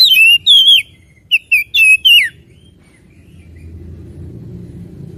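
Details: Oriental magpie-robin singing loud, sweet whistled notes with slurred upward and downward twists, two notes then a burst of four, followed by quiet with low background rumble.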